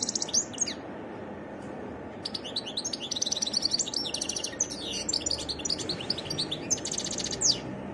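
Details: European goldfinch singing a varied song: rapid tinkling, twittering phrases of high notes, buzzy trills and sharp chirps in bursts over a steady low background hiss.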